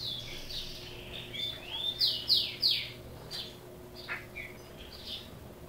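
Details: Criôlo song from a caged chopi blackbird native to Brazil: soft sliding whistles build into three loud, sharp, rising-then-falling notes, followed by quieter scattered chirps.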